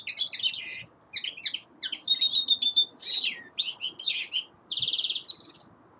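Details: Common linnet, a young male in winter, delivering a rich twittering song: rising and falling chirps, a clear whistled slur, and a dry buzzy rattle near the end.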